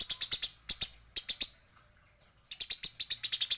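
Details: Eurasian tree sparrow, described as a fighting female, with quick high chirps in short groups, then a second-long lull before another fast run of notes.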